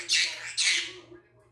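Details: A pet conure imitates the Korean phrase "ice cream, please" with two harsh, raspy syllables about half a second apart, a loose imitation. A faint low hum sounds indoors.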